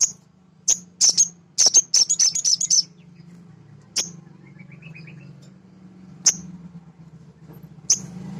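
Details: Male sogon, a nectar-eating bird, used as a lure to rouse other birds: a rapid run of high, sharp chipping notes in the first three seconds, then single chips spaced widely apart, with a low background hum.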